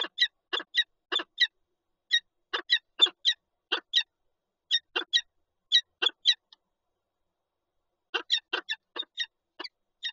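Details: Peregrine falcon pair at a nest with eggs in Lublin, Poland, 19 March 2022: harsh, broadband chipping calls given in quick clusters of two or three, pausing briefly before resuming, nearly continuous over ten seconds.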